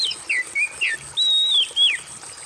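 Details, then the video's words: Oriental magpie-robin song used as therapy for stressed birds that have stopped singing: clear whistled notes sliding down, then a long level high whistle ending in a falling slur, over a steady faint high hiss. "TERAPI gemercik air,kacer stres dan macet bunyi"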